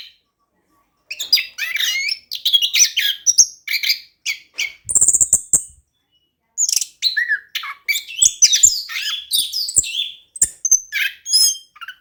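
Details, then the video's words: After a second of silence, an orange-headed thrush launches into rolling gacor song used to stir a quiet bird: rapid chattering notes and varied whistles, a held high note, a short pause, then more bursts. "ANIS KEMBANG GACOR DAN NGEROLL COCOK UNTUK PANCINGAN ANIS KEMBANG MALAS BUNYI"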